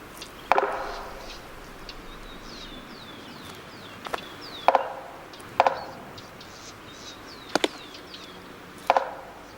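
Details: Male Magellanic woodpecker, one of the largest woodpeckers, drawn in by imitated knocking near its territory, thinks it has heard a rival and approaches with its mate joining the dispute; sharp, hollow double knocks on wood spaced irregularly, faint high chirping calls between.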